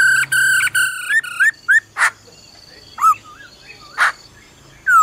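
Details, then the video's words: A female laughingthrush calls "ro ro" to excite a male; repeated rich whistled notes give way to short wavy slurs and scattered broad bursts, with a low hum underneath. "Khướu mái ro ro kích trống nhanh căng lửa"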